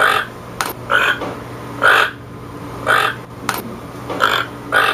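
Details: Toucan producing about seven gravelly croaks at a fairly quick, uneven pace, with two sharp clicks among them and a low hum underneath.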